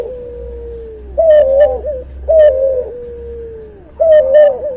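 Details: Hybrid cuhu dove, bred from a white albino puter and a puter pelung. Three phrases, each a rough, slightly wavering coo followed by a long, smooth, sinking note, repeated about every one and a half seconds in a quiet room.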